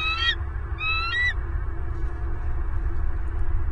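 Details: Bald eagle at its nest in southwest Florida, late November 2022, around the time of the first egg. Two high, rising whistled notes with bright harmonics sound in the first second and a half, then only steady low wind rumble.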